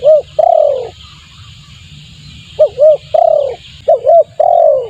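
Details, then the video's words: Spotted dove lure call to attract birds: repeated phrases of two quick hooked notes followed by a long, throaty falling coo, with faint chirps and low hum. "suara pikat tekukur bagus untuk pancingan"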